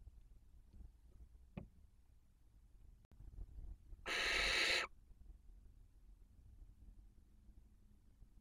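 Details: At a breeding-season 2023 nest webcam in Cabañeros National Park, Castilla-La Mancha, Spain, a barn owl gives one harsh, hissing screech under a second, amid faint low rumbles and rustling; a toad reportedly screams when touched by the owls.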